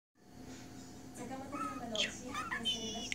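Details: Pet budgerigar lost in its own little world, chattering indoors: a quiet start, then a stream of harmonic, speech-like warbles and squeaky notes in a small room.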